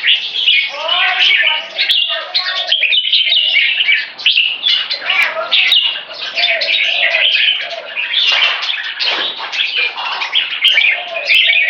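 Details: Three caged open tail jambuls singing together during training as weather turns warmer, a loud, dense, unbroken chatter of overlapping warbles, trills and scratchy notes, with occasional sharp clicks.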